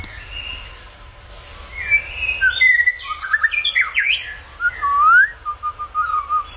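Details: White-rumped shama in varied, many-voiced song: soft opening whistles build into a rapid jumble of rich fluty and scratchy notes, ending with a rising slurred whistle and a short trill, low background hum.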